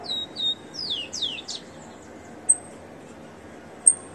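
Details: Leg-ringed, caged rufous-collared sparrow singing a little: two clear high whistles, then three loud down-slurred whistled notes in quick succession, followed by sharp clicks and quiet background hiss.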